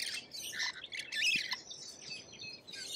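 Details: Noisy Australian lorikeets, grating screeches and squeals tumbling over each other in a constant high-pitched babble with a few soft low knocks.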